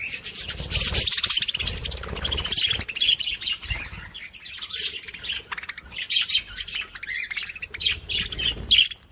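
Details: Warbling budgerigar sound used to encourage other budgies: busy twittering and raspy chatter, loudest at the start, then continuing in uneven bursts with sharp high squeaks.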